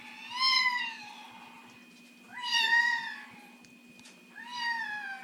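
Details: Amazon parrot in its cage indoors, mimicking a complaining cat when it will not go to bed: three loud, nasal, cat-like meows about two seconds apart, each rising and then sliding down. The room is otherwise quiet.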